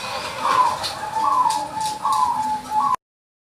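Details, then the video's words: Zebra dove of white-barred colouring singing steadily: soft, hollow cooing phrases with a brief rolling start, repeated about four times over light background hiss. "putih lurik gacor"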